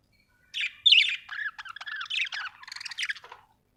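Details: Budgie warbling: one continuous run of quick, buzzy high chatter, squeaks and clicks, rising and falling for about three seconds, then stopping.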